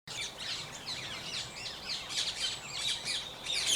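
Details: Introduced Ring-necked Parakeets feasting on a sunflower boundary crop planted for wildlife in Kent, South East England, giving a dense overlapping chorus of shrill, squealing calls from many birds.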